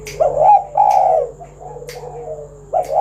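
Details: Spotted dove coos used to prompt other doves to sing: two loud rolling coos, then a quieter falling glide, and a final coo starting, with brief sharp clicks between them.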